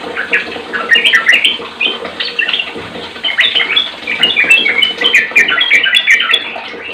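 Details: Sooty-headed bulbul singing to stir other bulbuls into song: chattering, bubbly whistled notes tumbling rapidly and continuously, short phrases overlapping, with faint high clicks in the background.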